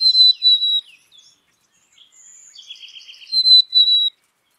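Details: Loud, pure high whistles from a Black-capped chickadee, each held steady then dropping slightly, with a soft buzzy trill in the middle and a pause before the final whistles.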